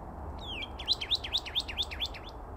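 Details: Northern cardinal, alone, at a pond in North Phoenix's Reach 11 Recreation Area in February: one falling whistle, then about seven quick, loud, evenly spaced whistled notes, each rising then dropping sharply.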